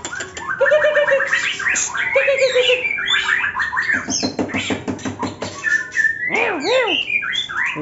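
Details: White-rumped shama, one with cataract, singing in the ngetrek style: varied whistled phrases and harmonic notes, a fast dry rattle of repeated clicks in the middle, then looping rising-falling whistles, with faint background music.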